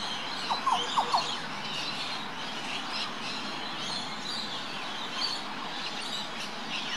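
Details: Green Oriole (Oriolus flavocinctus) near Port Douglas, Queensland, Australia, on 17 October 2013, calling from about 5 a.m.: a quick run of four or five low, liquid notes in about a second, then quiet against steady outdoor hiss.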